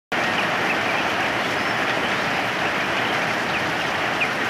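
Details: Steady heavy rain hiss throughout, with no distinct animal calls.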